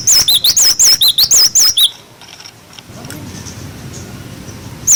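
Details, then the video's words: Cinereous tit singing its "wucit wucit" song, a clear-voiced tutor for young birds: some eleven fast, wavy whistles swinging between high and lower pitch for nearly two seconds, then quiet background with a faint low hum. "Masteran glatik batu wucit wucit"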